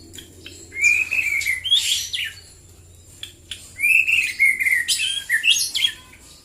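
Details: Morning song of a white-rumped shama from Prambanan, Klaten, Central Java, mixing smooth whistled notes with rasping, buzzy bursts in two bouts separated by a short pause, over a low steady hum and faint high tone.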